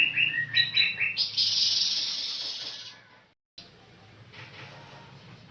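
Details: Birds singing with quick high chirps that run into a dense, buzzy trill. After a short silence, softer twittering follows.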